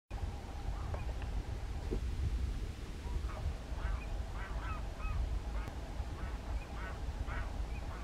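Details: Several American flamingos at a lagoon fish farm on 12 March 2022 give short, nasal, goose-like honks, overlapping every second or so, over a steady low rumble of wind.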